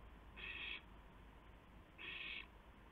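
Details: An owl brings a gopher to another in the small hours of April 2, 2016, at 2:51 AM. Two rasping, noisy hiss bursts, each roughly half a second, sound about one and a half seconds apart.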